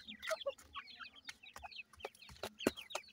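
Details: Young teetar (francolin) chicks being raised and fed: many soft, high, downward-sliding peeps from several chicks overlapping, with a few louder thuds and scratchy taps in between.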